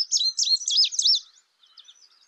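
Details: A short, bright phrase from an Indigo bunting: high warbled chirps sliding up and down, fading into soft scattered notes.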